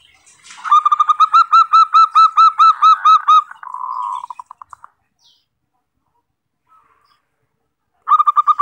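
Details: Zebra dove lure song for attracting wild birds: a quick series of clipped, hollow coos that trails into softer rolling notes, then silence, and then another fast burst of coos.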